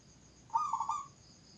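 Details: Zebra dove cooing: a short soft phrase of about three quick rolling notes run together, each slightly pulsed, lasting half a second, with faint steady hiss in the background.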